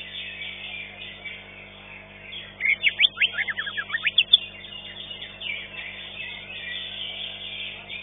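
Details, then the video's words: Green leafbird (cucak ijo) singing in a bird singing contest, where it placed fifth: a quick burst of sharp, slurred whistles sweeping up and down, rising above a steady dense wash of other competing birds. "CUCAK IJO"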